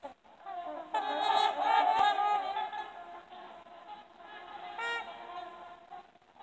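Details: Several trumpeter swans trumpeting together in a group: loud, nasal, horn-like honks overlapping in a dense chorus, strongest in the first half, then a quieter stretch with scattered single honks.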